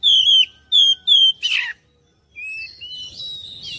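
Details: Oriental magpie-robin singing as a lure to get other birds singing and answering: three loud, clean whistled notes sliding downward, a harsh scratchy burst, a short silence, then softer thin rising whistles.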